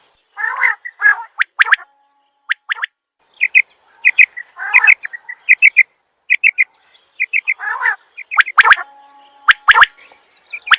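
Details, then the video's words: Quail call sequence: rough, buzzy churring bursts interleaved with rapid clusters of sharp clicks and short clear pips, repeated unevenly over about eleven seconds, with a faint steady tone in places. "Batair Ki Awaz"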